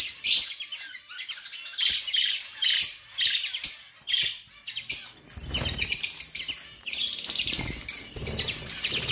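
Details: Budgies chirping steadily in quick, scratchy high bursts that pulse roughly every half second, later joined by low rumbling noise.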